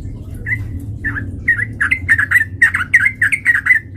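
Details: Lively sooty-headed bulbul fighting song played as a lure to make another bird respond aggressively. Bright, slurred chirps tumble out rapidly, several per second, over a low background rumble.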